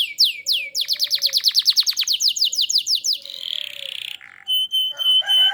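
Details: Canary singing vigorously as a lure for other canaries: two sweeping slurs, a quick run of repeated falling notes, a soft buzzy roll, then a level high whistle with stuttered notes.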